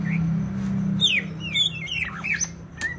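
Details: Greater green leafbird from Banyuwangi, East Java, in brief lively song: a few sharp, sliding whistled notes and quick chirps in varied pitches over a steady low hum.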